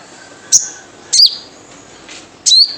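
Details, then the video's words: Wild sunbird call used as a lure to set other sunbirds calling: three separate piercing, high chips, each a quick downward-slurred squeak, spaced about a second apart over quiet hiss. "Jrejet Cuit Suara Panggilan Khas Sogon Liar untuk pancingan sogon agar gacor"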